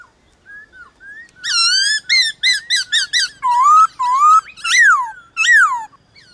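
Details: A black-throated laughingthrush sings against wild laughingthrushes in the morning, meant to spur caged birds to sing: soft opening notes, then loud rapid chopped whistles and several long ringing slurred notes rising and falling.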